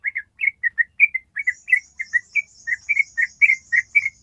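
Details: Long ropel trill of a yellow-vented bulbul: quick, liquid, whistled notes repeated rapidly in an unbroken chain, with a faint high hiss behind them in the second half.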